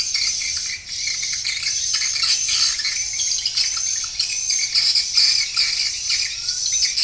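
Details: Swiftlets calling in a lure track played to attract them into a nesting house, with added roosting and pulling sounds: a thick chorus of shrill, rapid chirps and buzzes, repeated about twice a second.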